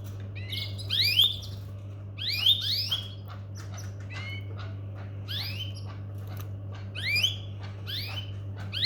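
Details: Domestic canary repeating upward-sweeping whistled calls in clusters every one to two seconds, with light clicks and a steady low hum underneath.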